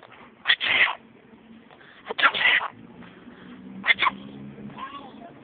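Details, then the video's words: Pet parrot sneezing: three short, sharp, hissy bursts spaced roughly a second and a half apart, each a quick double puff, with faint low voice-like murmuring in the background. "Loro que estornuda (my parrot sneezes)"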